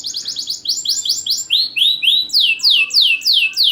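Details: Champion caged canary, loud and continuous, used to coax lazy canaries into singing: series of rapid high notes, then slower, strong downward-sweeping whistles about two per second.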